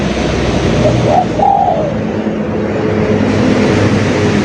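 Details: Spotted dove giving one soft coo phrase of two short notes and a longer level coo, fairly faint beneath constant low rumbling noise.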